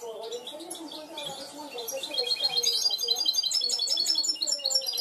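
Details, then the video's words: Trained goldfinch hybrid singing cante limpio: soft twitters at first, rising into rapid bright trills of evenly repeated notes, with a low wavering warble audible throughout. "mixto de jilguero educado a cante limpio"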